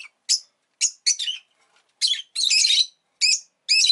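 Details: Rapid, scratchy chirps from a rosy-faced lovebird kept as a pet, short notes and one longer buzzy squawk in quick succession.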